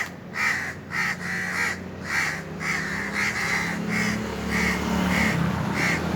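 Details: Cawing Indian crows perched on top of a tree during a hot summer day, a run of clipped, hoarse caws coming quickly one after another over a steady low rumble.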